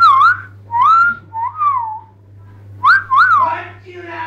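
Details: A female pet Jenday conure (Aratinga jandaya), excited during a bath, gives about five clear, wavering whistles that rise and fall, then a rougher chattering note, over a steady low hum.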